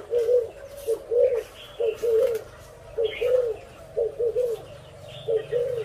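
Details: Deep gurgling coos from a spotted dove, delivered in paired bursts roughly every second, while other birds chirp faintly higher up over a low rumble.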